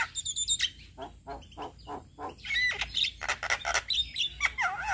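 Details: Male Javan myna song meant to teach other mynas, a jumble of harsh squawks and chattering bursts with wavering whistled notes toward the end, fairly busy and noisy.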